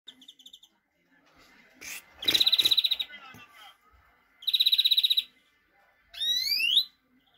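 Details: European greenfinch song: two bright, rapid, buzzing trills, each lasting about a second, then a sharp rising whistled sweep near the end, with soft chirps in between.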